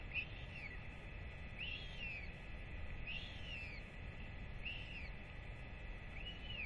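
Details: Royal albatross chick wheeing as its parents arrive to feed it, 8.10.24; a regular string of arched whistles, each rising and falling, about every one and a half seconds over a hissing background.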